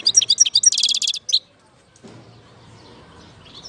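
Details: In Algeria in 2019 a goldfinch gives a quick burst of high chirps and a buzzy trill lasting about a second and a half, followed by near silence with faint background hiss.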